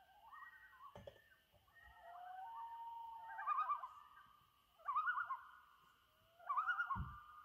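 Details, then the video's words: May 2019 on Trout Lake at sunset, loons give rising wails and rapid quavering tremolos in three bursts, each a couple of seconds apart, over a constant faint high tone and a low thump near the end. "Loons at Sunset on Trout Lake"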